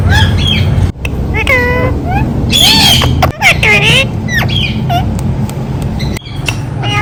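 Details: Ringneck parrot talking: dense strings of curved, voice-like syllables and squawks with brief pauses, over a steady low drone.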